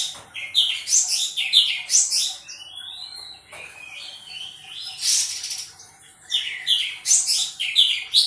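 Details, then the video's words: Active sooty-headed bulbul delivering fast, jumbled chirping phrases, with a smooth drawn-out whistle in the middle, a loud rasping burst, and then more rapid twittering notes. "Cungkok Gacor"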